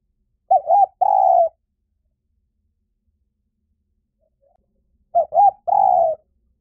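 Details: Spotted dove decoy recording with two matching cooing phrases about four and a half seconds apart. Each has short stuttered notes leading into a longer drawn-out falling coo, with silence between.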